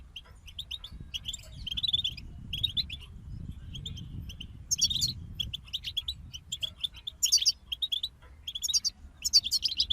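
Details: European goldfinch group song, spaced bursts of bright twittering and jangling trills every second or so, growing denser toward the end, with a noticeable low rumbling background.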